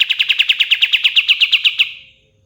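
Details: Pied fantail (kapas tembak) ending a fast trill: a run of about fourteen sharp, evenly spaced high notes at a steady pitch, fading out after the last note, with no other sounds.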